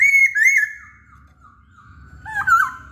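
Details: Masked laughingthrush singing actively: a loud, slightly wavering whistle held for about half a second, then a long fading tail, then a sharp bent whistled phrase near the end.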